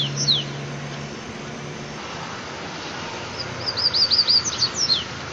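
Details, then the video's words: Mateiro-style song of a double-collared seedeater, or coleiro: a brief tail of falling notes, then after a pause a fast series of high, repeated down-slurred whistles; low humming noise early on. "COLEIRO CANTO MATEIRO"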